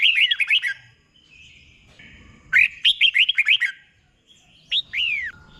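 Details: Red-whiskered bulbul tutor song for training caged birds, in the doubled 'boen' style: two bursts of quick whistled, bubbly notes arching and falling, then a pause and a final pair of clear downslurred whistles.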